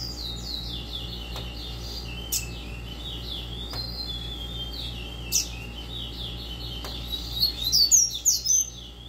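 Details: A captive Double-collared seedeater coming out of moult sings a fast "tui tui zeu" song: a quick run of high, sweeping chirps and slurred notes that grows brighter and louder near the end, over a low steady hum.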